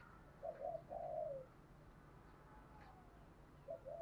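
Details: A decoy spotted dove with a good, well-patterned voice, cooing to stir other doves into calling: a low two-part coo followed by a drawn-out coo, then another short coo near the end, over a quiet rural background hum.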